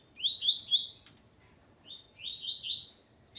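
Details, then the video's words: Male Double-collared Seedeater alongside his female, delivering rapid high chirps in a rising sequence, a brief gap, then a denser excited twittering run. "Coleiro Ponto 50 e sua Fêmea Calibre 40."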